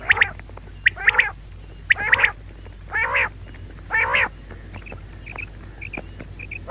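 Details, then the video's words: Female quail, the maadi batair, uttering a run of nasal harmonic calls, some doubled, then quieter high-pitched chirps toward the end, with a steady low hum beneath. "female quail call maadi batair ki awaz"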